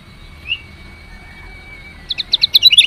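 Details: Female lemon-bellied white-eye chirping to urge males to sing; one soft note, then a quick series of high, clipped chirps rising in loudness over the final second.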